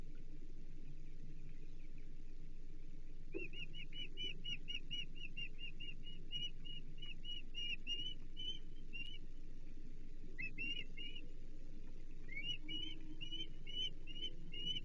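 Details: Osprey at a Chesapeake Bay nest on 15 April 2024, calling around a second fish breakfast: long runs of rapid, high, piping chirps, pausing and resuming, over a constant low rumble.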